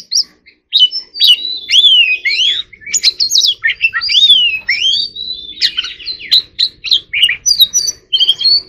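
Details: Oriental magpie-robin (choè than) in contest-style 'hót đấu' song, pouring out a continuous mix of slurred rising and falling whistles, squeaky notes and short trills with hardly a pause.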